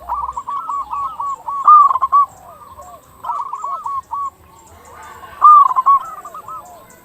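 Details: Zebra dove, local type, singing eagerly as a lure to make other zebra doves call: three bursts of rapid chopped coos, each tailing off into lower soft notes, with quieter cooing between.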